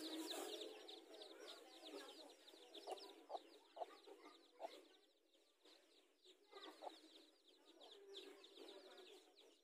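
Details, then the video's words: Hens with newly hatched chicks in a garden, mothers squaring off over territory; soft, distant chorus of high sliding chick peeps with scattered short low clucks rising and falling in loudness. "Mother Chickens Meet Each Other to Fight for Territory"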